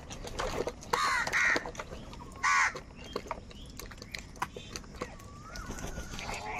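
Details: Harsh crow caws during a fight over food: a pair of rough calls close together, a single caw a second later, then faint chatter and a thin whistle-like sound in the background.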